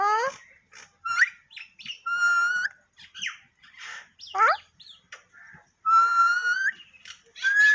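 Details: Parrot talking with a varied string of harmonic, voice-like notes, rising swoops and several level drawn-out tones nearly a second long, loud and close in a quiet indoor setting.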